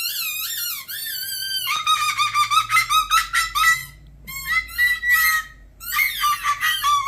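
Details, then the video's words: Indoor pet umbrella cockatoo, male, performing a taught, deliberately annoying sound: sliding whistled notes followed by rapid runs of squeaky harmonic pulses, repeated in quick bursts with brief gaps, loud and shrill in a small room. "Teaching A Cockatoo The Most Annoying Sound In The World"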